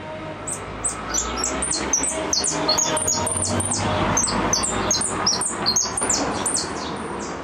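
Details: Goldfinch in repique song: a fast, steady run of sharp, high, down-slurred notes about two or three per second, buzzy and bright, over a hissy, slightly roomy background.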